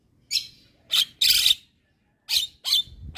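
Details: Asian pied starling, said to be provoking neighbouring starlings, giving loud harsh screechy bursts separated by short silences, one longer rasping note in the middle.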